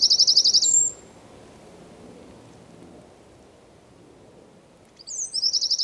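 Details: Song of a Eurasian wren, Zamudio, 4 December 2019: a rapid high trill ends abruptly, several seconds of near silence follow, then another quick pulsed trill starts up, each phrase bright and rhythmic.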